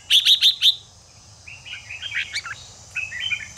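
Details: Stimulating Red-whiskered bulbul song for fighting: four loud, quick, high chirps in a row, a pause, then a softer warbled phrase of slurred whistles, and a final chattering run.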